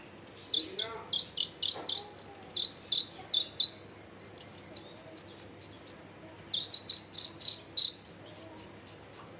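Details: Long-tailed shrike singing to draw silent shrikes into song; long series of short, high, evenly repeated ticking chirps, about four a second, shifting pitch between runs, with a faint low sound early on.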